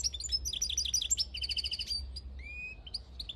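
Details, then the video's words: Field-dwelling European goldfinch, 2022, singing loud rapid twitters and rattling trills. Near the end come a couple of drawn-out whistled notes, over faint low background noise. "Jilguero campero"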